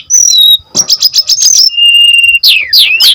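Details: Brown-chested jungle flycatcher song used as a lure and master tutor: a high whistle, a fast run of repeated notes, a steady drawn-out pure tone, then loud sweeping downslurred whistles.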